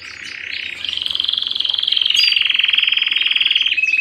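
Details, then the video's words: Canary singing at home: a long rapid trill held steady around one pitch, rolling on for several seconds before ending in a short clear note. "canary bird - canary singing - canary sounds - canary singing at home - beautiful canary birds"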